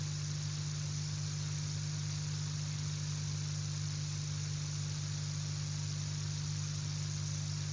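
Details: Steady low engine hum with constant broadband hiss throughout and no animal voice.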